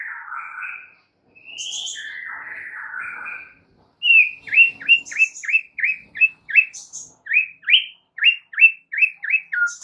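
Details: White-rumped shama song used as training material to calm a stressed bird: varied warbled phrases at first, then a fast run of sharp repeated downslurred notes, roughly three per second, with occasional high squeaks.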